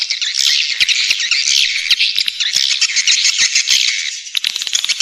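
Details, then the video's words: Swiftlets calling in a lure recording intended to attract them to nest, a packed chorus of high squawky chirps and twitters running without pause, slightly thinning toward the end. "Suara panggil walet menggemma"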